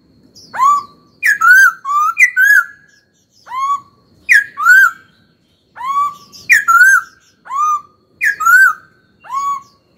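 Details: Caged young laughingthrush singing a training song meant to spur other birds to sing: loud, clear whistled phrases, each note swooping up then sliding down, delivered in quick paired bursts with short silent gaps.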